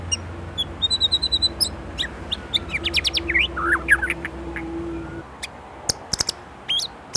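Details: White-rumped shama, Indonesia, singing isian-filled song: a few thin high notes and quick upward sweeps, scattered clicks, a faint steady low hum beneath, and sharp percussive ticks near the end.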